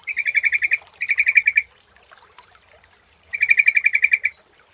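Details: Lure sound of a sooty-headed bulbul: three bursts of rapid, evenly spaced chirping notes, roughly seven to ten per burst, split by short quiet gaps, with faint scattered background chirps.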